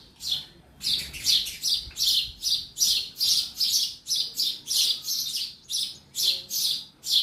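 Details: Sparrow inside a house chirping rapidly and continuously: loud, bright notes tumbling in quick succession, about two or three per second, with almost no background noise.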